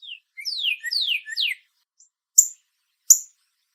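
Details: Northern cardinal singing three descending whistled slurs in quick succession, followed by two sharp, high metallic chip notes about a second apart.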